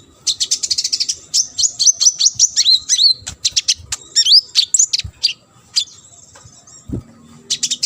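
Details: Olive-backed sunbird in busy full song for tutoring competition birds: fast high chips running into rising and falling slurred whistles, repeated in quick sequence, then a brief lull with a low thump.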